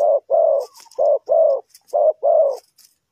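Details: Spotted dove used as a decoy to lure wild birds for trapping, giving six steady mid-pitched cooing notes, paired short and long, across three seconds, with faint high ticking behind.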